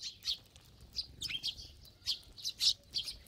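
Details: Sparrows eating together in a big flock. Short, piercing tweets come in loose groups of two or three, with brief quiet gaps between the bursts.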